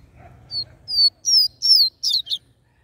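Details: Double-collared seedeater singing in the mateiro style, used to stimulate males: five or six clean, high whistled notes in quick succession, growing louder and more warbled toward the end, in a quiet setting.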